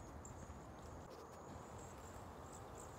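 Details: Cedar waxwings on migration in San Antonio, Texas, shortly before a freeze; thin, very high, lisping trills drawn out one after another over a steady low rumble of background noise.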